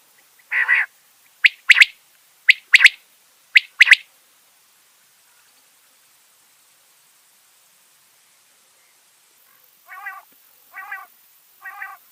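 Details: Quail, described as a Mianwali quail, gives sharp, high paired notes about once a second, then after a pause three softer, buzzier notes at a similar pace.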